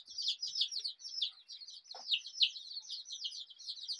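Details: A crowd of colourful desi chicks giving continuous high, downslurred peeps that overlap into a steady chattering stream, with one lower muffled knock near the middle.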